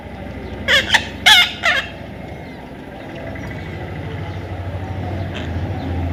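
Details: A baby Indian ringneck parrot during taming gives three harsh squawks in quick succession. Steady low background rumble follows, with one faint call near the end.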